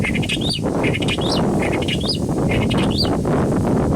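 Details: Clamorous reed warbler in a Kashmir riverine grassland, singing harsh, chattering phrases with rising squeaky notes about once a second over a steady low rumble of wind or water.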